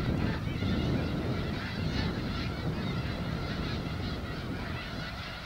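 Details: Thousands of feeding Snow Geese in a Skagit Delta wheat crop, Washington State, keep up a steady wall of yelping honks that fades slightly toward the end, over low wind noise.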